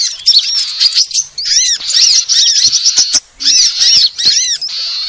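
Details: Sunbirds used as a lure sound: bursts of high twittering with distinct arched down-slurred whistles repeated every second or so, separated by short quiet gaps.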